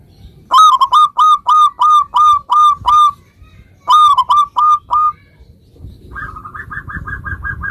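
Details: Local zebra dove song used to make other zebra doves answer: a fast run of about eleven loud, rich cooing notes, a short pause, a shorter run, then a softer, higher string of quick notes at the end.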